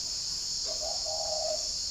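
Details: Spotted dove in a stainless-steel cage at a forest-edge home in Ba Vì, Hanoi, calling back to a distant wild dove: a short low coo run into a long, even, mellow note, steady hiss behind.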